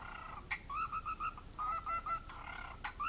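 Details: Parrot beatboxing, producing repeated warbling whistled notes that wobble up and down, broken by sharp percussive clicks and pops over a steady background hiss.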